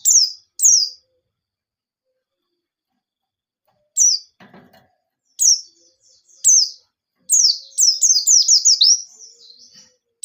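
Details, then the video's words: White-eye song used as a lure to set other white-eyes singing: sharp descending high chirps in scattered bursts, then a fast run of repeated falling notes near the end. "Burung Pleci Gacor Ngalas Nembak || Pancingan Penggacor Pleci Bahan"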